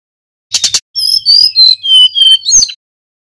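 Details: Local mountain tledekan singing loudly as a lure for other birds: a brief burst of rough buzzy notes, then a run of clear high whistles sliding down in pitch, ending in a short harsh chirp.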